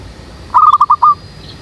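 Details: Zebra dove used for luring doves behind a house, near a jackfruit tree: a single short phrase of five quick, rolling coo notes, the last slightly longer, against a low background hum.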